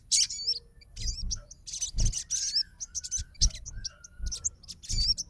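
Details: Fighter sogon calling its rival in reply to its song, giving clustered high chirps and looping whistles, with a faint level tone and low thuds in the background.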